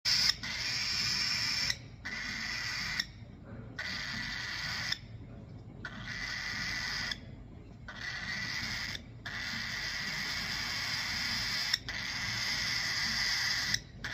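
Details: A baby cockatiel, very noisy after handfeeding, gives long, harsh, hissing begging calls, broken by brief pauses.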